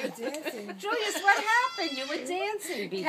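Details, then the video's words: A pet cockatoo imitating its owner's mother's laugh, giving a string of human-like chuckles and laughing phrases, wavering and voice-like, repeated over several seconds in a small indoor room. "Cockatoo laughing"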